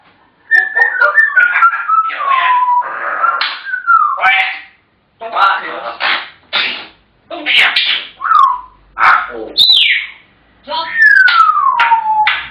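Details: Chatty African grey parrots: a dense string of mimicked words and squawks, with several smooth falling whistles woven between the talking.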